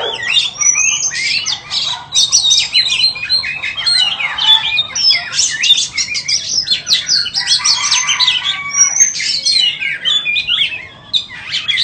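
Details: Caged white-rumped shama delivering a dense, continuous song of rapid whistles, trills and scratchy chattering notes, phrases tumbling one after another for the whole stretch over a faint low background hum.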